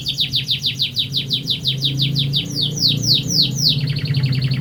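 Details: Canary singing its long rolling song, a fast series of bright descending high chirps that quicken into a rapid rolling trill, loud and continuous over a low droning background noise.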